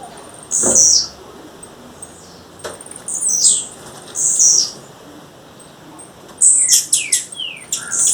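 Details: Wild female blue-black grassquit calling: scattered high buzzy notes separated by pauses, ending in a quick cluster of sharp chips and downward sweeps.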